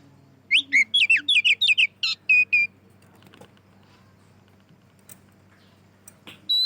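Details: White-rumped shama in loud, open song used as a lure for other shamas: a quick series of clear, sharply rising and falling whistles, about ten notes in two seconds, then near silence with faint clicks and one last whistle.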